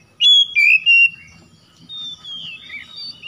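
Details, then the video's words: Oriental magpie-robin (kacer) lure song to restore a bird that has stopped singing: three loud clear whistled notes, then a softer long, wavering whistle over faint background murmur. "PANCINGAN CEPAT PEMULIHAN KACER NGEDROP MACET BUNYI LANGSUNG GACOR"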